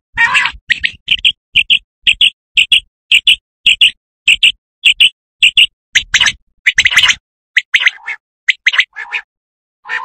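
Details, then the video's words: Common quail call used as a hunting lure: loud, clipped high notes repeated about twice a second in an even series, then a few louder, faster, rougher bursts and scattered lower notes near the end. "صوت الفري السمان"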